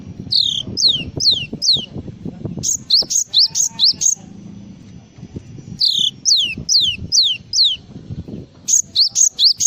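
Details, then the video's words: Full filler song of a Java sparrow: repeated clusters of high, steeply falling whistled notes, three or four per group, spaced by short gaps, over a soft low rumbling background. "SUARA BURUNG GLATIK FULL ISIAN"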